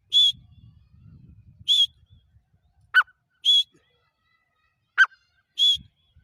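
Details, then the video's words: Francolin calling: short harsh, buzzy bursts at a steady high pitch alternating with sharp downward-sweeping notes, repeated every second or so, with faint low rumbling noise between calls. "Gora teeter ki awaaz|Dakni teeter ki voice|تیتر کی ساونڈ"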